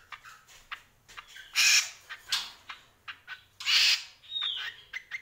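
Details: Greater green leafbird, known as cucak kombo, in energetic song: loud harsh squawking bursts alternating with short whistled slurs and chips, about every two seconds.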